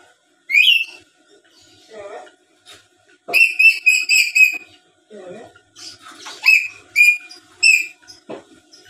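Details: Black-capped lory in full voice, known for talking and chattering and played to provoke other lories to answer: sharp shrill whistled calls repeated in quick clusters, mixed with low mumbled speech-like notes.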